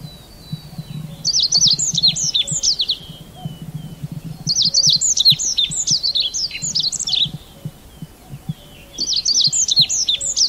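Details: Red avadavat giving three bursts of rapid, thin, high chirping notes, each burst lasting about two seconds and spaced roughly four seconds apart, over a faint low rumbling background.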